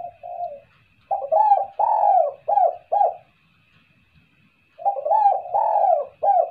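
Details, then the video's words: Spotted dove kuk-kuk call, meant to lure birds. A soft opening coo leads into a phrase of five deep, rounded coos. After a pause of about two seconds the phrase repeats. A faint high whine is steady throughout. "SUARA TEKUKUR,,, buat pancingan suara kuk2...."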